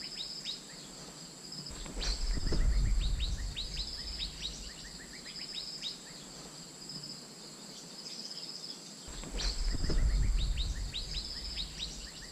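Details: Decoy call of the Asian fairy-bluebird used to attract birds: two bursts of fast, upward-slurred whistled notes separated by a quieter pause, a steady high insect-like drone throughout, and low knocking sounds during the louder passages.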